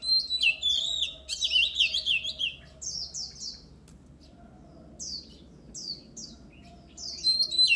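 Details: Oriental magpie-robin, stimulated to sing for competition training: a burst of tumbling, varied whistles and chattering notes, followed by separate loud downslurred whistles spaced a second or so apart, over a soft hum.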